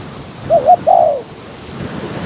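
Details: One call phrase from a decoy spotted dove luring wild doves in gusty weather: two quick wavy coos and a long downward coo, against steady wind noise.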